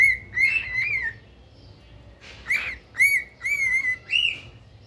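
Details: Caged pet cockatiel calling repeatedly, bright whistled notes with strong harmonics, roughly two per second in two bouts separated by a short pause, each note arching up and down; steady low hum in the background.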